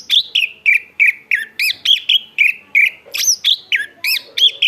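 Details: Chestnut-backed thrush singing vigorously: a steady run of short, clear, downslurred whistles and chirps repeated about three times per second, each note similar, with occasional higher looping notes.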